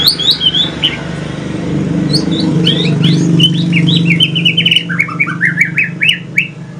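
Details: White-rumped shama, a mutation pastol-type bird from Aceh, singing in the evening: a chatty run of quick slurred whistles and chirps repeated several times a second, over a loud low engine-like drone.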